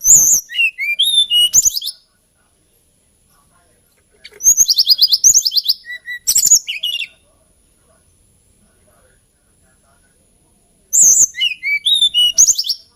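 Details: Hill blue flycatcher (Cyornis banyumas), an Indonesian songbird called tledekan gunung, repeating lilting song phrases of fast high whistles and trills, each about two to three seconds long, separated by silent pauses.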